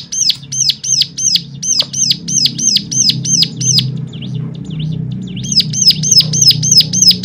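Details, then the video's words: Bird song played as a stimulation track to get other cigun birds singing; rapid, sharp, repeated two-part notes about three per second, a brief jumbled pause, then the series resumes over a steady low hum. "full suara rangsangan jadikan cigun lain mana tahan auto gacor seketika"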